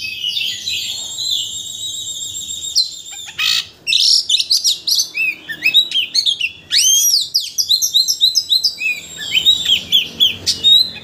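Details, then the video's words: White-rumped shama, a bird used to provoke a shama into singing its full repertoire, singing a varied run of high whistled and buzzy notes with sweeping slurs and rapid chattering bursts, packed densely over eleven seconds. "Pancingan Kacer Untuk Menaikkan Emosi Agar Mau Bongkar Isian"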